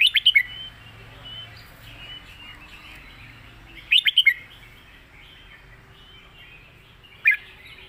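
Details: A red-whiskered bulbul gives short bursts of clipped, chirpy whistled notes, three separate phrases spaced several seconds apart, against a faint steady hiss and low background murmur.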